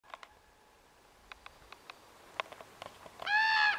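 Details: A juvenile Common Raven near Cold Springs campground, FR 1012, on 5 July 2014, gives one loud, nasal, harsh call near the end, preceded by a few soft dry clicks and taps.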